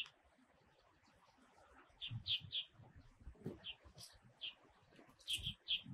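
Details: Taiwan's wintering Red-bellied thrush calls in short bursts of bright, high chirps, mostly in quick twos and threes, with low rustling noise between them.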